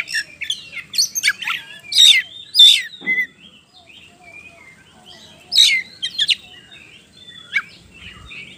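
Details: Oriental magpie-robin song played as a lure to get other birds singing: loud bursts of sharp chirps and whistled notes every second or two, separated by quieter gaps with softer twitters.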